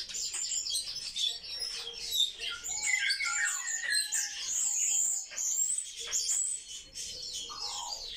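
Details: Sparrows kept in captivity chatter together in a busy chorus of high chirps and squeaky notes. Clipped tweets repeat unevenly, with a few lower steady tones in between.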